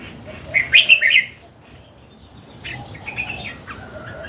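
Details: Red-whiskered bulbul, mature and wild, opens with a quick cheerful burst of four warbled notes. A long thin whistle and soft scattered chirps follow.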